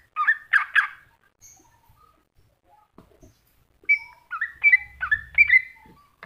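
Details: Greater green leafbird masteran song opening with two harsh, buzzy bursts, a near-silent gap with faint ticks, then a lively run of looping whistled notes over a low hum.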